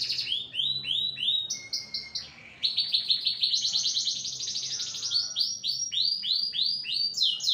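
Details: Canary, described as excitable and agitated, delivering loud rolling trills with a long flat whistle in the middle, then chains of downward-slurred notes repeated about three per second.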